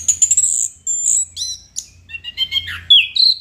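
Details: Chestnut-capped thrush singing vigorously, gacor style: a rapid medley of high thin whistles, short buzzy notes and quick chirps, shifting to lower, slurred, descending whistles near the end, with brief pauses between phrases.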